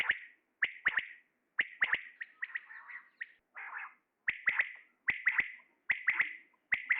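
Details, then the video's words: Male common quail calling: sharp, clipped notes near the upper-middle pitch range, often in quick pairs or triplets, repeated in short bursts about a second apart, with a soft raspy phrase in the middle; no other sounds. "Batair awaz | Quail sound | common quail calling | Male Quail sounds | How to call Quail |QUAIL call"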